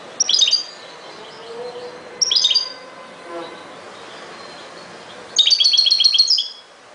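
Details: Song of a European goldfinch in the ghoroub style: two brief high chirpy bursts, a quiet gap, then a longer run of rapid, tinkling, twittered notes.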